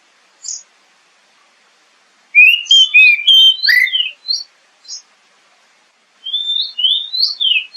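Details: Oriental magpie-robin lure song for building a caged bird's confidence: a burst of varied whistles and slurs, a pause, then a second phrase of rising and falling clear notes.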